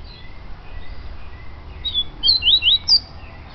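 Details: Yellow-bellied seedeater singing: a short burst of bright, quickly slurred whistled notes, rising and falling, in a quick run of about four phrases near the end, over a low rumbling background hum.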